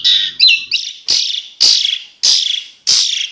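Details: Asian pied starling (jalak suren) giving harsh, noisy squawks about every 0.6 seconds, six broad rasping bursts after a short opening chirp, on a tembakan-style training recording.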